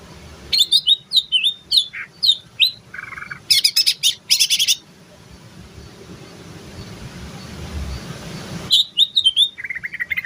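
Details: Female yellow-headed greater green leafbird from Banyuwangi in terotol song: a string of sharp whistled phrases, a lower warble, dense buzzy bursts, then about four seconds of quiet before bright chattering phrases return.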